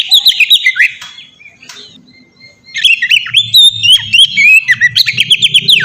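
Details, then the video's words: White-rumped shama singing, a lure for stirring other shamas into song; rapid bursts of rich whistled and chattering notes with sharp upward and downward slurs, a quiet pause midway, then a long fast varied phrase, faint low hum beneath. "suara burung kacer ngeplong merdu sangat ampuh buat pancingan kacer bahan bikin cepat gacor"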